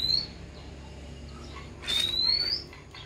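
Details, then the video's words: Oriental magpie-robin raised from a young age giving thin, high whistles that slide steadily upward: one short at the start and one longer after a pause, in a quiet room with soft background noise. "Chòe than nuôi từ nhỏ"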